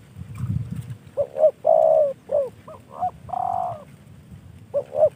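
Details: Spotted dove kept as a cage bird, gifted by a fellow enthusiast, uttering short cooing notes and two longer coos in a quick sequence after a low rumble at the start.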